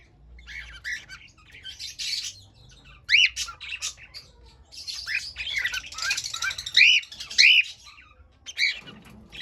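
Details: Cockatiel singing, rough squawky chatter broken by several clear arched whistles, in a busy stretch of continuous calling.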